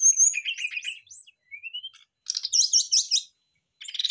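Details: Brown-chested jungle flycatchers answering each other in full song, used as a fast trigger for other birds; a high whistle, a rising slur, then a rich burst of rapid chirping notes.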